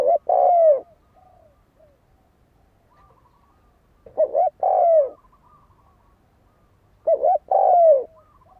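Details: Spotted dove kept as a decoy bird, cooing to provoke wild doves into fighting: three phrases, each a quick double note followed by a long, mellow coo that falls in pitch, spaced a few seconds apart with quiet between.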